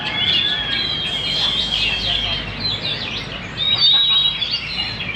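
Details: Banjar Indah magpie-robin singing vigorously: drawn-out high whistles alternate with quick descending chirps, with a loud whistled phrase near the end, over low hum.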